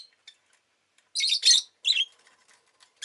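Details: Rosy-faced lovebird giving three close, loud, grating squawks, the last dropping in pitch, among faint scattered ticks.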